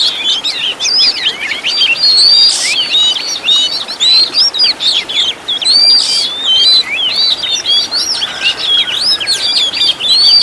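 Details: Kacer, or Oriental magpie-robin, in a training master recording for caged songbirds, full of varied phrases: fast chattering series of sweeping whistles and sharp chips, with a few brief noisy bursts, nonstop throughout.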